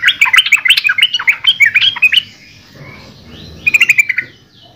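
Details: Yellow-vented bulbul singing a fast chattering run of bubbly, rising and falling notes for about two seconds, a pause, then a short burst of quick repeated notes.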